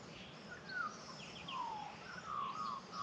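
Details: Australian magpies singing in the Australian bush on a sunny morning: clear, flute-like whistles that slide downward, with a few higher warbled notes mixed in, over a soft hiss of outdoor background.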